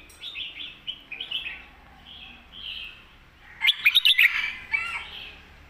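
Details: Competition red-whiskered bulbul in a cage, master-song style with a thick core voice. Short warbled phrases open the clip, then a rapid cluster of loud, sharp whistled notes and a softer chattering tail.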